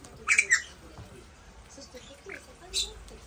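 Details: Two white-bellied caiques wrestling indoors: two harsh, raspy squawks in quick succession, then two more scratchy squawks about two seconds later, in a quiet room.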